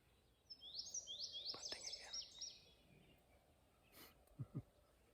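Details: A July morning in the Adirondacks: an Indigo Bunting singing over a semi-open area gives a two-second run of high, sweet notes in quick doubled pairs that slide down and up; a click and two soft low thumps follow.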